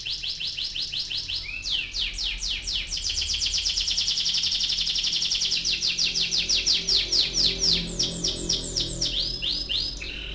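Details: Canary giving a rolling song, played to prompt young canaries to sing: a continuous high trill of rapid repeated notes, about four per second at the pulse level, shifting in speed and texture over ten seconds, with faint low background noise.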